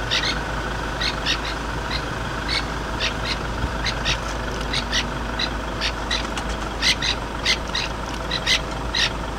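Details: Francolin alarm calling at a leopard sighting, recorded from a vehicle: sharp, grating alarm notes in quick uneven bursts over an idling engine.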